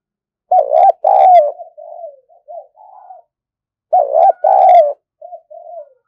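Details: Decoy spotted dove in full voice: two loud harsh double coos a few seconds apart, each followed by a series of softer, mellow short coos.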